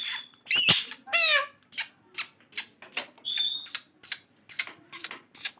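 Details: Pet green ringneck parrot speaking many words: squeaky, raspy, speech-like syllables in rapid bursts with short pauses, including a sharp high squeak near the start.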